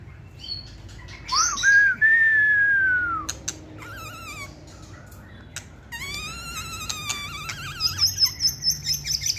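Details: Caged white-rumped shama kept for singing contests: a loud fluting whistle sliding down, then quieter wavering notes and a fast run of short repeated pulses near the end.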